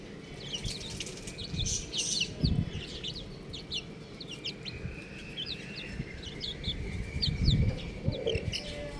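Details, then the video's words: Buff chicks give quieter, sparse high chirps and short rising peeps over a constant low hum, with occasional dull knocks. "Adorable Little Chick Sounds | Amazing Baby Chicken | Chirping Sounds"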